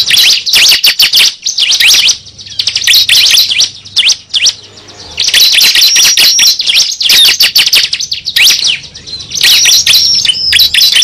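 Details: Cible lure call: clustered bursts of shrill high chirps and sweeping whistled notes, three main outbursts separated by quieter gaps, over a faint low hum.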